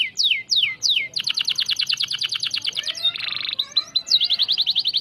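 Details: Canary in full, lively song, used as a tutor and stimulus recording for white-rumped shama: fast downslurred whistles, then a long rapid buzzy trill, a dense rattling burst and more quick whistled notes, all high-pitched.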